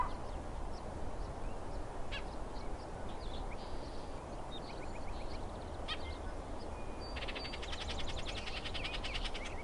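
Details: An upset Bullock's oriole gives a harsh, dry rattling chatter near the end, after a few scattered sharp notes, over a steady low rumble of wind or distant traffic.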